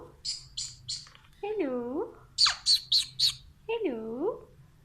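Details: A talkative pet Alexandrine parakeet mimics Urdu/Hindi speech in two drawn-out, voice-like phrases that dip and rise, between quick bursts of high, scratchy chirps.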